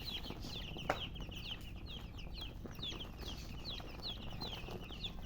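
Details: Several young chicks peeping, quick high falling chirps spread across the clip over a noisy background with one brief knock.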